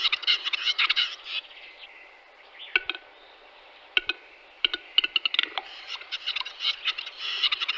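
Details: Western capercaillie (Tetrao urogallus) in March 2022 giving dry, sharp clicks spaced irregularly, mixed with bursts of harsh, scratchy hissing at the start and end.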